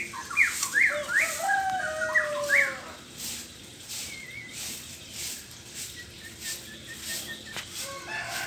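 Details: White-rumped shama song in the morning: a few seconds of sharp, sweeping whistled notes opening the recording, then softer, sparser calls and faint chirps against a steady background hiss.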